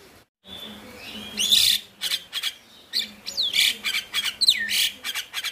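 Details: A male Javan myna in full song, used as a lure for mynas reluctant to sing, gives a harsh chattering song of rasping bursts and swooping whistles in quick phrases over a steady low hum.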